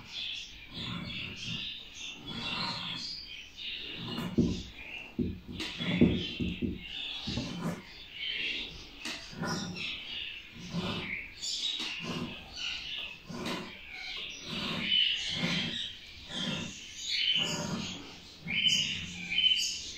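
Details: Rainbow-mutation budgerigars playing and flying in an aviary chatter steadily with scratchy, high warbles and quick chirps.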